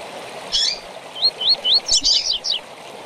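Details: For training young seedeaters, a double-collared seedeater's tui tui song: a burst of high chirps, then three evenly spaced rising whistles and a tumbling chirpy flourish, against soft flowing-water background noise.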